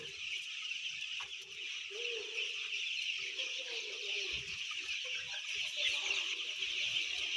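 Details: A flock of about ten thousand white chickens, chicks, making a dense, unbroken chorus of high peeping, with a few lower, brief chirps and clucks rising out of the steady wash of sound.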